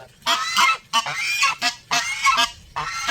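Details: Strong, repeated goose honks, each harsh call lasting around half a second, following one another in quick succession.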